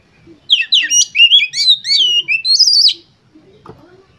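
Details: Oriental magpie-robin singing as a lure for competition birds: a dense, fast phrase of sharp whistled and trilled notes ending in a high sustained whistle, then near silence.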